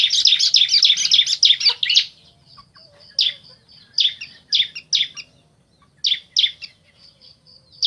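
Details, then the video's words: Bar-winged prinias, male and female, answering each other: a two-second burst of rapid, harsh chirps, then spaced pairs of buzzy notes, with a thin steady high tone in the gaps. "Suara Asli Ciblek Jantan Betina Bersahutan"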